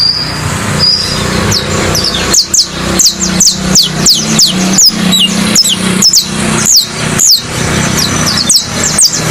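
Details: Saffron finch in a cage delivering a steady stream of thin, high descending chips, often in quick pairs, repeated over a low continuous hum in the background.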